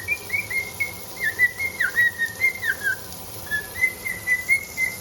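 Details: Indoor pet cockatiel, singing during dishwashing, gives a continuous warbling phrase of linked whistled notes that dip and rise slightly, with a few sharp downward slurs among them.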